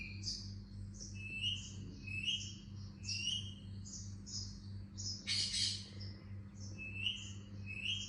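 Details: Indian ringneck parakeet chirping: a steady string of short, bright chirps, some lower and slurred, some higher and thinner, coming several times a second, with one brief harsh burst midway and a constant low electrical hum underneath.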